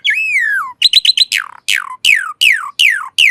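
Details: A long descending whistle from an Asian pied starling, then four quick clipped notes followed by six loud falling whistled slurs, spaced about every third of a second.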